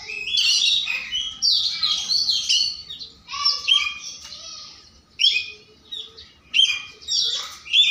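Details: Morning song of an Oriental magpie-robin seeking out a rival, full of rich, jumbled whistles and rasping chatter in dense phrases, a brief lull before sharp renewed bursts.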